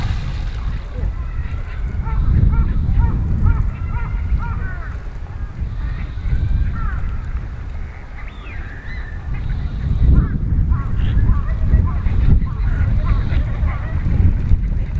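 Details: Wild Eurasian wigeon at Nisanzai Kofun, a World Heritage burial mound site in Japan. Clear whistled notes come in short repeated series over a steady low rumble of background noise.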